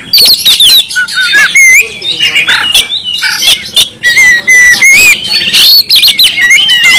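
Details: Insistent gacor song of an Oriental magpie-robin from Kalimantan, with varied whistled phrases, twittering runs and scratchy notes, several clear falling whistles repeated toward the end.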